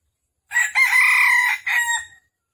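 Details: Red junglefowl calling. The recording is used to trap wild junglefowl in Vietnam, on the morning of 13 December 2021. A three-part call: a quick opening syllable, a long rasping held note and a short dropping finish.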